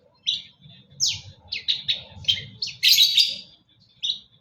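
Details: Long-tailed shrike in full song, a loud run of sharp chirps and scratchy notes high in pitch, each burst brief and separated by short gaps, with a low hum beneath.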